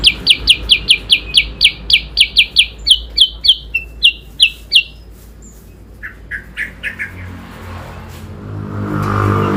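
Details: Yellow-eyed babbler (kutilang sutra) in a singing contest (adu kicau) against an Oriental magpie-robin (kacer): a quick run of loud high downslurred notes that slows and breaks off into softer, lower calls amid rising background noise.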